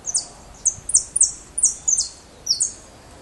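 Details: Young white European goldfinch in captivity just beginning to sing: thin, very high drawn-out notes with short sharp accents, repeated in brief phrases about every half second.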